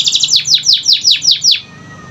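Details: Canary song played as a lure to prompt lazy, silent canaries to sing: a fast run of bright, high sweeps, each sliding downward, about eight in under two seconds, then quiet.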